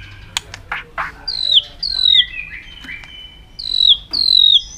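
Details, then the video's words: White-rumped shama singing a very long song while flicking its tail aggressively, used to provoke other birds: rich, clear whistles swooping down in pitch, mixed with sharp clicks and short buzzy notes, phrases repeating every second or so. "chòe lửa kéo dây siêu dài,đánh đuôi thái độ kích chim hiệu quả"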